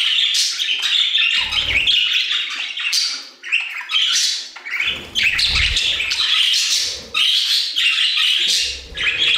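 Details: Budgerigars singing together in an aviary: dense chattering warble of squeaks and rasping chirps, with short pauses, plus occasional low thumps from perch or wing movement.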